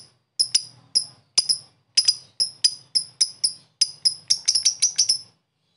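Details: Lovebird making the 'ngetik' typing-like sound, meant to rouse lazy lovebirds: separate sharp, high ticks, irregularly spaced at first, then coming faster and closer together toward the end.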